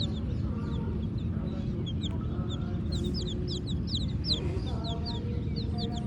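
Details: A group of black and white chicks chirps, with bright, falling peeps repeated in irregular clusters and a brief noisy burst near the middle, all over a deep, constant hum.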